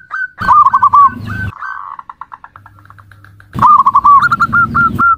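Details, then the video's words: Zebra dove call with a rippling trill and a few hooked notes, then a quieter stretch of faint, pulsed repeats before a loud burst of quick trilled coos. "Suara Panggilan Perkutut"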